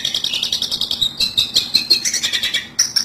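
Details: Long-tailed shrike lure sound used for trapping: steady, harsh, buzzy chatter with quick clipped notes repeated several times a second, ending in a sharp high burst.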